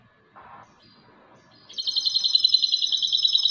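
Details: A European goldfinch hybrid sings. After a brief low sound and a pause, a rapid, even, high trill starts and runs steadily to the end.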